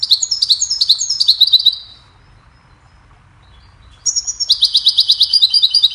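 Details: Cheerful goldfinch melody meant for training songbirds: two bursts of rapid liquid twitters and trills, the first fading after almost two seconds, then a pause of two seconds before a denser, louder twittering phrase resumes.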